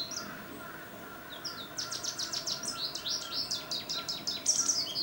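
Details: An American goldfinch recorded on a Nikon D800 begins with a few scattered high notes, then launches into a fast, steady series of sharp, sweet twitters and rising chirps lasting several seconds over light hiss.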